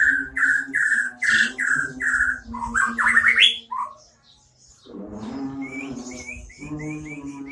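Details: White-rumped shama with a unique isian song: a run of short whistled notes near the same pitch, then climbing slurred phrases, followed by a lower buzzy warble; a steady low hum runs underneath.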